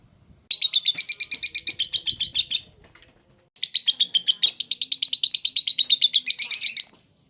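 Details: Lovebird ngekek song in two bursts: a rapid rattling trill of high, harsh notes for about two seconds, a brief pause, then a longer trill ending in a denser, buzzier flourish.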